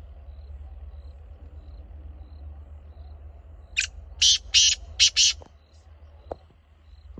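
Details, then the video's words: Black francolin giving its harsh call: a short rasping lead note followed by two quick pairs of grating bursts, after a quiet stretch with faint high ticking and low hum, then a few soft clicks. "Kala Teetar ki Awaz"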